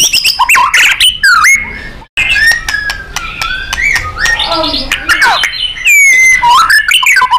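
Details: Training song of a white-rumped shama for contest birds, styled gacor and nembak: varied loud whistles, downward-sweeping notes, rapid clicking series and a buzzy middle passage, with one brief gap.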